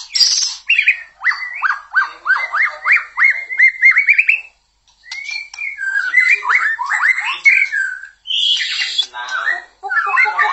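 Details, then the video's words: White-rumped shama, described as a wild forest bird, used as a lure to make other shamas sing; a rich, varied song of quick upward-slurred whistles repeated in a run, then after a brief pause mixed warbling notes and harsher phrases. "Murai Batu LANGSUNG GACOR dan NGEPLONG jika digandeng dengan murai ini"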